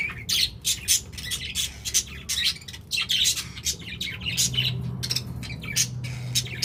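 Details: Budgies chatter steadily with sharp, buzzy chirps and squawks coming in quick bursts, and a low steady hum rises in the background partway through.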